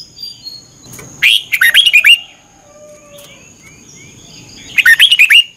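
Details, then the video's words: Caged Red-whiskered bulbul from Thailand, practising during a daily morning training session of 30 minutes; two bright, jumbled whistled phrases about 3.5 seconds apart, with faint thin chirps from other birds in the gaps. "นกกรงหัวจุก ฝึกหงอนเป็นเวลา 30 นาทีทุกเช้าเพื่อช่วยให้นกเรียนรู้ที่จะพูดได้อย่างรว"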